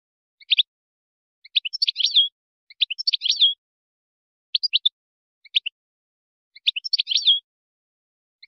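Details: European goldfinch singing a Moroccan tutoring song for chicks and hybrids, alternating brief paired chirps with fuller twittering phrases ending in a buzzy downward slur, high-pitched and clean with nothing else audible.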